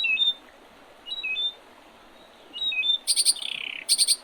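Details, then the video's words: Early-spring birds at the Oredezh River in Leningrad Oblast, Russia, 8 April 2023: soft paired whistled phrases repeated three times, then rapid high chirp triplets around a buzzy, downward-sliding trill. "Весеннее пение птиц"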